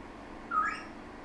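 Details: A 12-week-old female pet African grey parrot in the morning gives a single short, clear whistle that rises slightly and then trails into a softer breathy note. Faint room hiss sits underneath.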